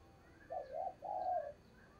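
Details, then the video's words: Spotted dove coo from a trapping lure bird: one soft, mellow two-part coo, the second part longer, over a steady hiss of background noise. "Tiếng Chim Cu Mồi Thúc Gù Bài Bản Dùng Kích Bổi Hiểu Quả"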